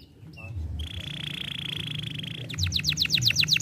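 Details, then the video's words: Young canary song meant to stimulate: after a couple of soft chips comes a long, steady buzzy trill, breaking into a quick run of loud, repeated falling notes. "estimula rapidamente o som de um jovem canário"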